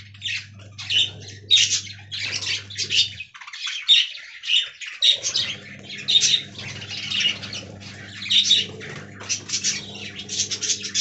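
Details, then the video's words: Aviary budgerigars keep up continuous rapid chatter, a stream of harsh squeaky notes and warbles. Background hum drops out briefly partway through. "Budgie Talking Compilation"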